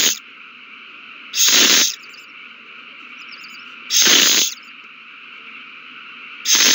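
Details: Owl at the nest amid a frenzy after a mouse is passed between mates, March 2020: drawn-out rasping hisses recurring about every two and a half seconds, four bursts, with faint chittering and steady hum between.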